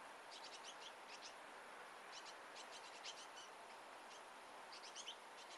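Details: A family of great tits (Parus major) feeding together, recorded through a half-open door; thin, high chirps and short twittering bursts come in loose clusters across the clip over a steady background hiss, with no other clear sounds.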